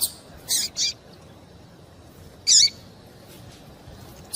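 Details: Female double-collared seedeater call meant to stir a male into song: a few isolated high chips and one louder warbled note, separated by long quiet gaps with light hiss.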